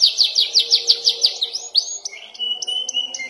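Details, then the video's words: Young canary practising trills, a quick series of high downward-sweeping notes followed by a rising whistle and short steady whistled tones. "KENARI paud belajar ngeroll dan nembak"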